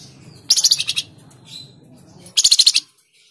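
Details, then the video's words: Tledekan jati, the Flamboyan bird, used as a singing prompt for cage birds. It gives two high, harsh rattling phrases, each a quick run of about six pulses, almost two seconds apart. Faint low background hum. "Pancingan Burung Flamboyan | Tledekan Jati"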